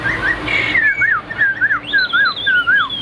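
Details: Caged Chinese hwamei singing: clear whistled notes dipping and rising in a looping pattern, repeated about twice a second, the last phrases jumping higher in pitch.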